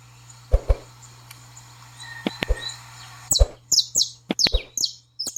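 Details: Saffron finch baderna song for training a pet bird: a few dull knocks and thumps open, then a burst of high, sharp, downslurred chirps, several per second, over a low steady hum.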